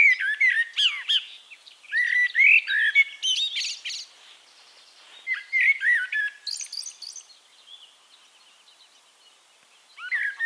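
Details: Eurasian blackbird (Turdus merula) singing in Castricum, the Netherlands; several lively fluty whistled strophes with squeaky high flourishes, separated by a long quiet spell before a final note.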